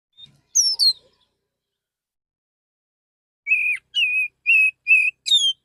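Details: Male Oriental magpie-robin singing calmly in the morning to call other magpie-robins, used as a lure: two sharp descending notes, a pause, then five clear steady whistles in quick succession.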